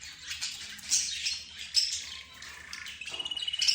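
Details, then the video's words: Mixed cage birds, including budgerigars, zebra finches, canaries and a bird locally called roz, chattering together as if in conversation: dense high squawks and chirps, then a quick buzzy rapid-fire series near the end. "حديث الطيور"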